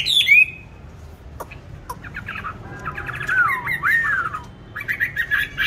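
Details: Songbird in a cage, bought 19 May 2020, kept singing in any place: a sharp whistled opening, scattered clicks and soft chatter, then a long sliding whistle and more scratchy chirps.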